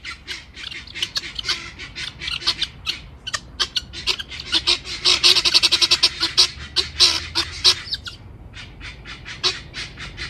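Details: Farm helmeted guineafowl, or capote, giving loud grating cries: harsh rasping notes repeated about three per second, thickening into a dense overlapping burst midway before thinning out again.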